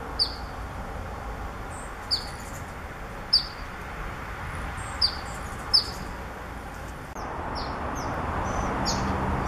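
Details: Black phoebe in California, where it is present year-round. It gives sharp, high chip notes every one to two seconds, then a few thin down-slurred notes, over a steady low rumble of distant traffic.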